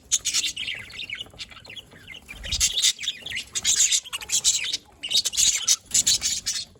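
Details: Budgies recorded 27 October 2023 chirp in loud, bursting clusters of harsh twitters separated by short quiet gaps, with a few soft thumps.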